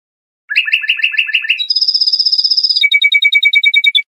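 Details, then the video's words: Lor-style song of a trained Iranian European goldfinch, used to teach young songbirds: quick stuttered notes, then a sustained high buzzy trill, ending in evenly spaced pure ringing pips; no other sounds. "Iranian trained Lor goldfinch song for training juvenile songbirds."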